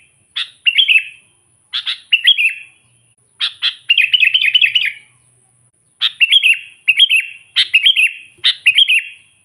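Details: Sooty-headed bulbul in full song, used to lure and provoke wild rivals: bright chirpy warbled phrases in clusters, one longer rippling run in the middle, separated by short silences.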